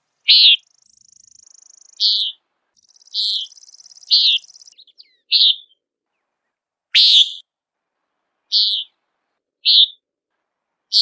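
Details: Common Nighthawk giving its nasal peent call while flying in search of insects: short buzzy notes repeated every one to two seconds, with a faint thin high buzzing between some calls.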